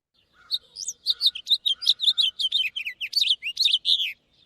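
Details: House Finch song, a dense stream or flurry of notes: about fifteen or more high, warbled syllables twisting up and down for nearly four seconds.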